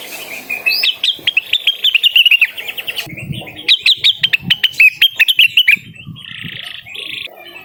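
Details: Blue-winged Leafbird in active song, calling out to a rival with two quick strings of sharp, chirpy whistled notes, then softer buzzy notes trailing off at the end.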